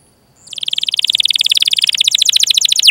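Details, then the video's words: Rolling canary song used to coax young or silent canaries into singing: after a brief faint start, a steady rapid trill of short repeated notes builds in volume, finishing with a single sharp downward slur. "Masteran Suara Burung Kenari Gacor Panjang cuit cuit Ngerol untuk Pancingan Kenari!"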